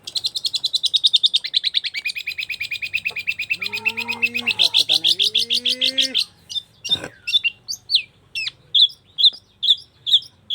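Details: Long-tailed shrike in energetic song: a long rapid chattering trill dropping slightly in pitch, then a series of clipped, rising whistled notes roughly every half second. A low wavering voice is heard partway through.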